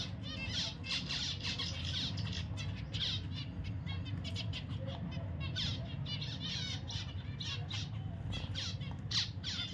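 Zebra finches give quick, nasal, trumpet-like beeps and buzzy chatter over a steady low hum.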